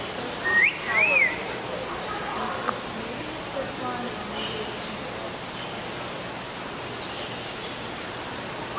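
An African grey parrot gives two clear whistled notes, the first rising and the second arched, then falls quiet over a soft background hiss.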